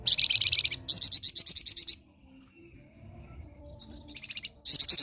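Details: Actively singing flamboyan bird, kept as a song tutor for other birds, gives fast runs of piercing high chips, then goes quiet for over two seconds before the rapid chattering resumes; a soft low hum persists beneath.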